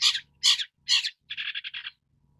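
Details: Three loud, rasping notes from a long-tailed shrike, followed by a quick run of about six shorter, evenly spaced notes.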